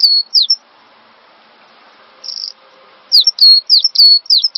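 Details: Master recording of a cinereous tit for songbird training: a brief high whistled phrase opens, then near silence with one short buzzy note, then a lively run of repeated downslurred whistles ending the clip.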